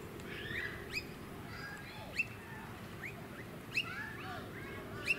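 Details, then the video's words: Piercing short upslurred notes of a blue-faced honeyeater (Entomyzon cyanotis), recorded March 2018 in a Sunshine Coast suburb, Queensland, repeating every second or so among softer chattering bird calls and faint traffic-like rumble. "Blue-faced Honeyeater"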